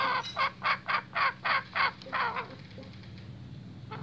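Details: Male junglefowl, described as restless, utters seven harsh clucking notes at a steady pace of about four per second. A softer trailing note follows, then near silence over a faint low hum.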